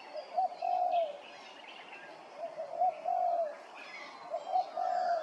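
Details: Grey-crowned babbler at Hervey Bay, Queensland, giving repeated mellow whistled phrases, each opened by a brief sharp note, three bursts across several seconds with soft chattering in the background.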